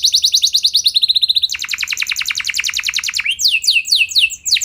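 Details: Canary pouring out long rolls to make other canaries sing back: a quick trill of high notes, a tighter faster roll, a long even trill of evenly spaced notes, then loud sweeping downslurred whistles.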